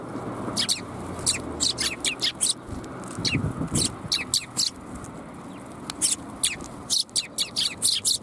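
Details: Several sparrows at Tenmangu shrine on the afternoon of January 21, 2022, giving bright, high chirps in quick clusters, scattered steadily through the clip, over a low background rumble.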